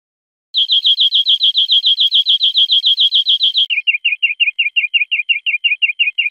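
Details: European greenfinch song from a teaching recording made for cage birds: a fast series of high, evenly repeated chirping notes, then a slightly lower, quicker trill of repeated notes, clean with no background sound.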